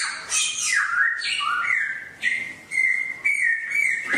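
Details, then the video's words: Wild-style songbird song meant as daily practice for caged birds: bright downward-sweeping phrases, then clear whistled notes held at one pitch, repeated in short bursts with brief pauses between. "TỰ NHIÊN CHIM HÓT GIÀ RỪNG"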